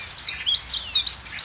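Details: Common chiffchaff call, presented as hard to tell from a willow warbler's: high, thin notes repeated in quick succession, alternating between slightly higher and lower pitches, clean and without background noise.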